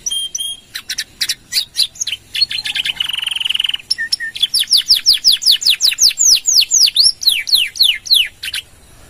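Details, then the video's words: Canary singing full gacor with long 'nembak' and 'gereja' fill, a lure and master recording for other songbirds; staccato chirps, a buzzy trill, then a long run of rhythmic descending sweeps. "Suara Kenari Gacor | Full Nembak Panjang!!"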